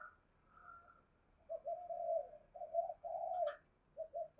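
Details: Decoy spotted dove, thổ-voice style, used as a lure. Low hoarse cooing phrases start after a quiet opening, with a brief higher note near the end and a slight room echo.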